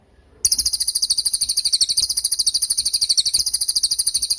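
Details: Cililin training song for young or moulting songbirds: a sustained, rapid chatter of sharp high-pitched notes, several per second and very regular, running for four seconds without a break.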